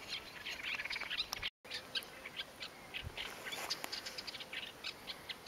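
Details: Masked shrike by the Tsiknias river, 1 May 2015: quick series of short, scratchy high chirps and clicks in uneven bursts, with a brief dropout midway and a steady faint hiss behind.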